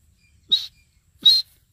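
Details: Grey francolin (Ortygornis pondicerianus) call: two loud, harsh, high-pitched notes about three-quarters of a second apart, with near silence between them.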